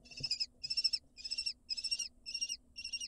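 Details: Lesser kestrel nestlings in Israel, hatched May 2022, being fed at the nest entrance, give harsh, hissing, high-pitched begging screeches: six rasping notes about twice a second over a faint low hum.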